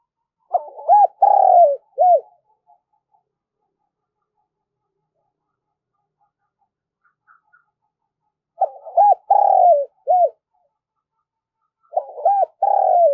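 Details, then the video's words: Lure cooing of a spotted dove, thúc gù style meant to stir up wild doves: three low phrases of a quick coo, a longer swelling note and a short closing coo, spaced several seconds apart. "tieng cu gay thúc gù cực đỉnh kích bổi"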